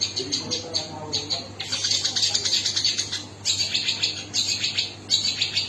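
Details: Long-tailed shrike song: bright, shrill chatter delivered in bursts of rapid notes, pausing briefly between phrases, with a faint low murmur early on.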